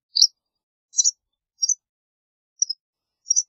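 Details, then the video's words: Five high, sharp chirps from a white wagtail, spaced irregularly about half a second to a second apart, each a short two-part tweet. Nothing else is heard. "White Wagtail Song! White Wagtail Call! White Wagtail Sound- Lavandera Blanca Canto - Motacilla Alba"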